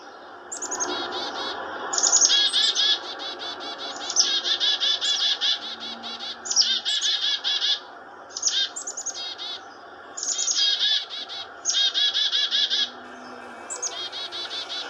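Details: A Black-capped Chickadee back in a bush right after a shrike attack gives repeated harsh, buzzy chickadee-dee-dee alarm calls, each about a second long, every second or two. Other chickadees about 30 feet away answer.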